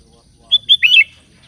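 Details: Sooty-headed bulbul in lively 'gacor' voice, calling companions: one short bubbly phrase of three liquid, slurred notes, the last pair running together and dropping in pitch, lasting about half a second against near silence.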